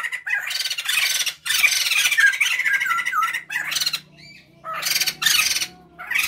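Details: White-crested laughingthrush pair, male and female, in vigorous full song, used as a lure for training birds at home: loud harsh chattering and cackling bursts, dense and noisy, broken by short pauses near the second and fourth seconds.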